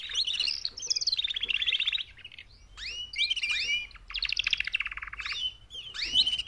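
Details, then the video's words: Four female canaries give mating calls to encourage males to sing more loudly; fast pulsed trills alternate with arching whistled sweeps, the phrases repeating in a lively, overlapping pattern. "BEST mating call 4 females canary EVER to MOTIVATE your CANARY to sing LOUDLIER"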